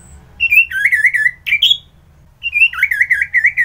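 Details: Orange-headed thrush singing vigorously in the morning at Kubutambahan, Singaraja, Bali: two rich warbled phrases of quick wavering notes, each starting higher then rippling lower, split by a short pause with a brief squeaky note; faint low background rumble.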